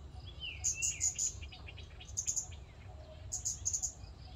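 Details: Scarlet-backed flowerpecker in a public park, giving sharp, very high, thin ticking notes in three short bursts of three to four quick notes each, separated by pauses, over a faint low rumble of background noise.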